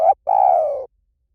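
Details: Spotted dove cooing, a recording meant to lure birds: a short coo cut off at the start, then one long, steady, slightly grainy coo that eases lower before stopping, followed by silence.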